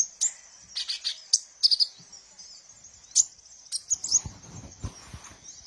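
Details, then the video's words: Song of the sunbird called kolibri ninja, used as a lure to train birds: scattered very high, sharp chirps and brief trilled bursts, with rustling noise toward the end. "suara burung Kolibri ninja"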